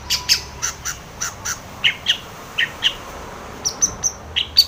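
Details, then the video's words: A long-tailed shrike challenging a rival with a steady string of short, clipped, high notes, some harsher and some clearer and whistled, roughly two per second. "SUARA cendet gacor MEMANGGIL LAWAN"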